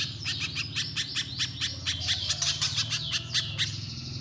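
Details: Energetic little spiderhunter song of quick, ringing high chips mixed with short whistled slurs, repeated in an uneven rhythm, with a noticeable low rumbling hum underneath.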